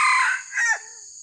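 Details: Crow of a red junglefowl used in trapping wild birds: a brief, harsh, falling phrase that breaks into two loud parts, then fades out, with constant high-pitched insect buzzing behind it.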